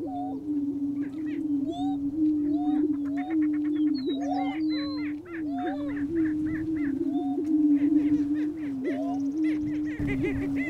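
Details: Male lesser prairie chickens booming on a Kansas Flint Hills lek to attract a hen: a steady low droning hum runs throughout, overlaid by many rising whoops, sharp cackles and rapid chattering notes from several roosters.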